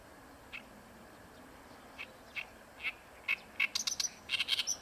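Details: Oriental reed warbler singing at Ikejima, a bird that sings often in this area; a slow start of scattered chirps that speeds into a fast run of harsh, chattering notes toward the end.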